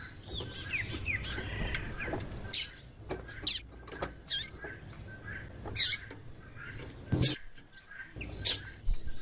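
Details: Female white-throated seedeater calling often to get the male singing; a series of brief, shrill high chips at irregular intervals, with softer lower notes and a low background hum.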